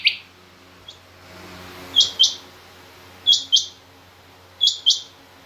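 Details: Female Rain Quail calling: high, sharp double notes repeated in pairs about every 1.3 seconds, each pair quick and clipped, over a quiet background with a faint low hum.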